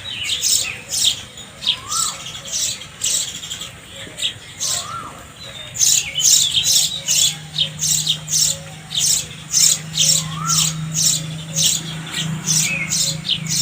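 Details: Sparrows chirping: sharp, shrill notes repeated about twice a second in a steady series, with a few lower squeaky calls and a faint low hum in the background.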